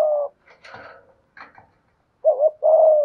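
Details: Spotted dove kept as a decoy bird, 'giọng thổ' voice: a low coo ends, soft rustling and scraping sounds follow, then a wavering short note and a long steady coo.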